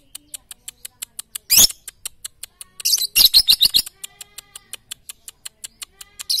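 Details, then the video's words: Lovebird song for morning, noon and night training: a sharp high squawk, then a rapid cluster of shrill chattering notes, later a short high chirp, over a soft fast steady ticking. "masteran Lovebird pagi siang dan malam paling cocok"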